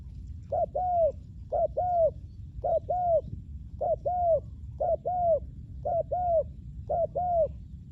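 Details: Spotted dove kept for luring wild doves gives a steady run of seven two-part coos, short then long and arched, repeating almost every second with little else heard.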